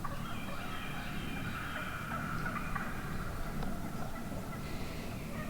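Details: Wild turkey hens calling from within a large flock one morning, recorded close up in turkey woods; overlapping yelps and clucks form dense layered chatter throughout, with a steady low rumble underneath.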